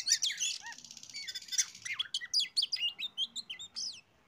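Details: Oriental magpie-robin singing as a lure for other birds: a harsh buzzy opening, then a rhythmic series of short bright whistled notes about every quarter second, fading out at the end.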